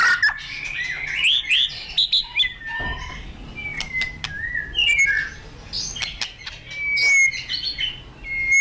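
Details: White-rumped shama, kept as a songbird in Indonesia, singing in an excited, full-voiced way: varied whistled phrases, rising and falling slurs and sharp clicks in quick succession, with some low background rumble.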